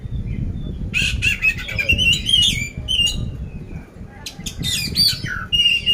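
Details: Competition-ready caged oriental magpie-robin (poci) from Magelang, Central Java, giving harsh-filled song: scratchy bursts and wavering whistles in two outbursts separated by a brief pause, low background rumble throughout.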